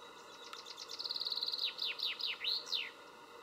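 A chaffinch's bright, cheerful song: a fast run of sharp notes that speeds up, then several louder slurred notes and a final flourish, all within about three seconds.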